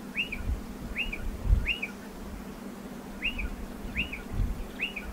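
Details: Nesting striated pardalotes at a dry stone wall, repeating a short arched whistle with a brief tail note roughly every second, six times, with soft low thumps and a steady hum behind.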